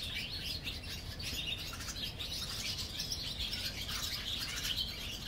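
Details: Colony of barn swallows under a bridge at Mercer County Park, New Jersey: dense, overlapping high twittering and chirping from several birds throughout, over a low steady background rumble.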